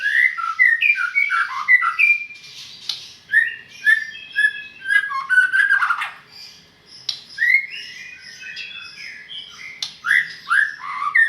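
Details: Medan white-rumped shama pouring out quick sequences of looping whistles, descending slurs and scratchy notes, with short gaps between energetic phrases throughout.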